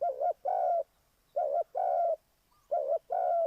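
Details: Spotted dove used to lure birds into a trap, calling three rapid phrases. Each is a brief wavering coo, then a longer smooth coo, with short silent pauses between.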